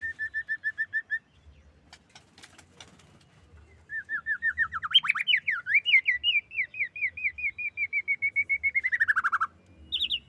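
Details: Female white-rumped shama: a quick series of clear repeated whistled notes, a pause with faint clicks, then a long run of rippling whistles that wobble and fall before a final high pair.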